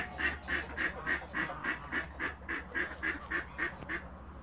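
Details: Toulouse geese in a backyard: a quiet, evenly spaced series of short nasal honks, about three or four each second, against a low background hum.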